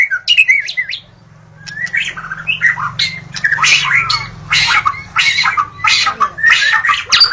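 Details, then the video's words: Dawn song of a white-rumped shama, used as a lure for shamas: quick whistled notes, then a series of rasping, scratchy bursts mixed with short whistles, with a low hum underneath. "Suara burung murai saat Fajar"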